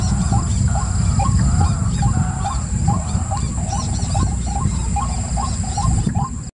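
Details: White-breasted waterhen calling in a steady series of short rising nasal croaks, some doubled, repeated several times per second until an abrupt end, over low rumbling noise.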